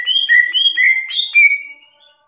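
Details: Green leafbird, locally cucak ijo, singing loud ngerplong gacor song. Clear whistled notes alternate between two pitch levels in quick succession, ending in a longer whistle that fades away.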